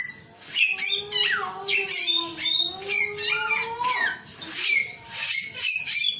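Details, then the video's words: A male samyong sings a flowing medley: a long low whistle that bends slowly upward, overlaid with higher chirps, downslurs and harsh scratchy notes. "SUARA BURUNG SAMYONG GACOR/SUARA ALAM/SAMYONG JANTAN"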